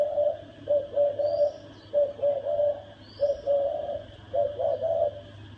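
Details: Spotted dove in thổ đồng style, cooing to provoke males and wild birds into fights: four phrases of three or four hoarse coos, evenly spaced about a second apart, with faint high chirps and a low hum.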